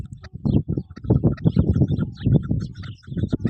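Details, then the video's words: A chukar partridge gives a rapid run of low, throaty clucks, about four or five a second, swelling and fading in short bursts. "Kobuk Voice"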